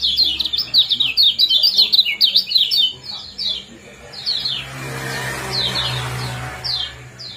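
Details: Common iora in 'ciak-ciak' and 'jos power' calling, played to stimulate breeding condition; an intense volley of high, clipped, descending chirps for three seconds, then scattered single notes over broadband hiss and low hum.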